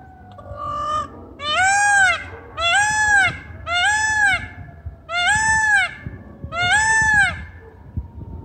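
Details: A male peacock named Peter, returned on 11 March 2023 after a long absence, gives loud, nasal, rising-then-falling wails, about five in a row at roughly one-second intervals, over a low background rumble.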